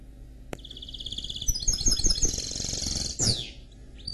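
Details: Canary x goldfinch hybrid mule singing a pulsed high trill that breaks into fast twittering notes and closes with a swift falling sweep; a sharp click near the start and low hum underneath.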